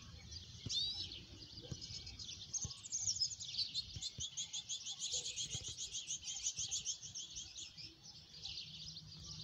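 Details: Lesser goldfinches (Spinus psaltria), fighting and singing, chatter in a dense, high, continuous stream of rapid trills and thin whistles over a faint low background rumble.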